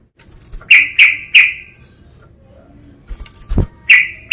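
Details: Provoking call of a male sooty-headed bulbul toward a rival: a run of three sharp chirps, a pause with faint rustling, then more rapid harsh notes.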